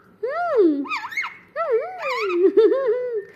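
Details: Pet parrot talking, saying mummy in a clear human-like voice. Two connected speech phrases with wavering, rising-and-falling pitch, delivered loudly and close up indoors.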